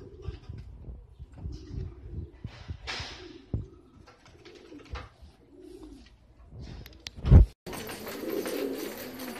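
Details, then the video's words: Filo breed domestic pigeons cooing indoors: a series of low, soft, rolling coos rising and falling, separated by short pauses, with a loud thump and a burst of broad noise near the end. "Filo Güvercinleri"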